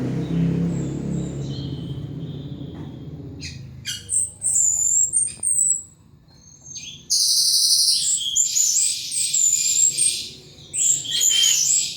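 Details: Caged pet thrush in heavy, fluent song: after a few seconds of low rumbling background, bursts of high, sharp whistles and rapid chattering phrases follow, with brief pauses between loud runs.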